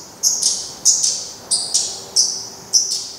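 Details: Black redstart at its nest as the last chick leaves, 24 May 2020: sharp high thin calls, each a bright chip followed by a fading whistle, given about every half second in pairs.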